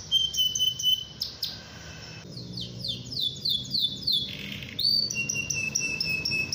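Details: Canary song to provoke rival singers: a flat whistled trill, a pause, then a sequence of downslurred syllables about four per second followed by another steady high trill.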